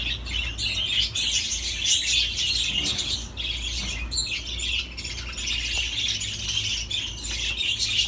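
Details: Budgerigars keep up a continuous warble: a dense, fast stream of high chirps, squeaks and rasping chatter with almost no pauses. A low background hum continues throughout.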